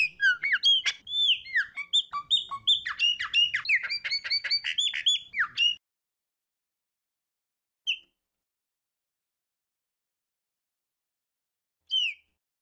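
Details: A Chopi blackbird (pássaro preto, smoky "fumaça" type) pours out a rapid jumble of clear whistles, slurred notes and chirps for about six seconds, then gives two lone whistled notes after pauses.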